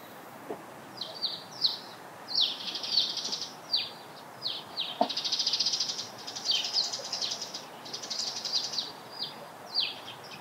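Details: Eurasian tree sparrows by a breeding pond in spring, gathering nest material, chirp busily: short bright notes from several birds overlap into a chattering run over a soft background hiss.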